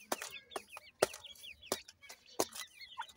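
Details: Playing partridge chicks giving thin, high, down-curving peeps in loose series, broken by loud sharp knocks and taps.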